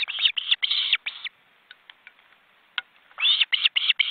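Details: Wild ospreys at a nest in an Estonian forest reserve with nearly fledged chicks, recorded by webcam. Drawn-out, strained squealing notes in short bursts, then a quiet gap with faint clicks, then more squealing.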